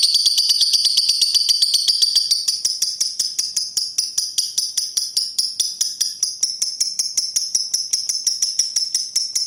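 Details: A pastel green lovebird ticks in 'ngetik' style. Sharp, high clicks repeat quickly, are loudest and densest in the first two seconds, and then settle into a steady, slightly softer pulse.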